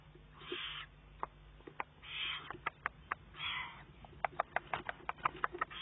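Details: Begging juvenile Eurasian eagle-owl, June 2011, pushing its mother to find more prey; three softer hoarse hisses, then a quickening run of sharp clicks.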